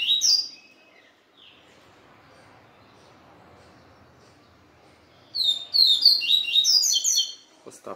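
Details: Captive male Yellow-bellied Seedeater, just separated from the female, indoors in a service area, gives a brief high phrase, pauses, then pours out rapid sweet high twittering for about two seconds; faint indoor hum.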